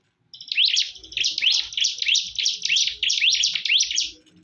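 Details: In a fierce fight, bar-winged prinias give a steady, rapid series of buzzy, high chirps after a short silence, each note sweeping upward, with a faint low hum beneath.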